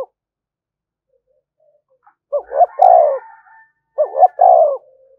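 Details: Spotted dove decoy calling continuously to spur fighting: after a quiet start, two phrases about 1.5 seconds apart, each two short rising notes then a long, falling, hollow coo.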